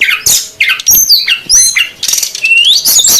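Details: Brown-chested jungle flycatcher, female and male, in a lure for wild birds; loud squeaky slurred notes in quick succession, ending with a long rising whistle.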